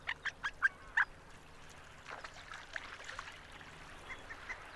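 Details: Harlequin duck uttering five quick, squeaky nasal notes in a row, evenly spaced and clear, followed by fainter scattered squeaks against a soft background rumble.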